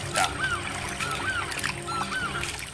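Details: Laughing Falcon calling in the Pantanal, Brazil: clear, arched whistled notes, each rising then falling, several in quick succession, over a steady wash of water and engine noise.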